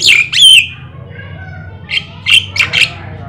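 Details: Vigorous black-winged starling song, played to coax other birds into singing: two loud descending whistled squawks open, followed by a faint drawn-out note and a cluster of sharp, grating calls.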